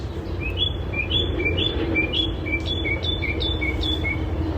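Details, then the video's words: A song thrush at Hobsonville Point, Auckland, New Zealand, mimics the songs of local birds, delivering quick series of short, bright, upslurred whistles, several per second, over a steady low background rumble. "this is the song thrush it is a mimic and it is singing all the different songs of the birds in this area"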